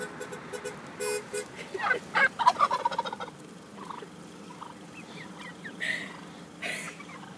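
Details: Turkey gobbling: a fast, rattling burst of rough notes at about two to three seconds, preceded and followed by scattered quieter calls and background noise.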